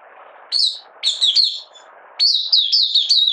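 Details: Malaysian Oriental white-eye, in minor moult and not in form, 31 July 2023, singing 'buka sing' opening song: a few short high slurred notes, then a fast bright twittered run, with background hiss.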